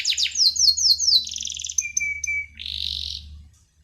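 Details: Canary singing actively ('gacor'): fast falling chirps, a pulsed roll, a clear level whistle, then a rough buzzy note, over low background hum.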